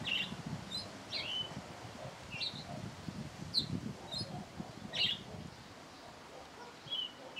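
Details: Thrush singing at its usual hour: short bright whistled phrases roughly every second, some rising and some falling, above low rustling noise.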